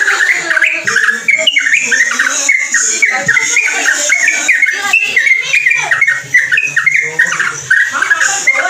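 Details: Long, nonstop ropelan song of a yellow-vented bulbul: quick, varied whistled notes and slurred chatters pour out almost without pause over a steady hiss.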